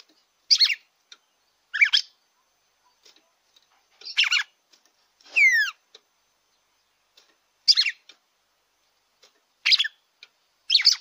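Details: Song of a red-cowled cardinal, meant to excite a kept bird: short bright chirpy phrases repeated roughly every one to two seconds, with one clear downward-sliding whistle midway and quiet gaps.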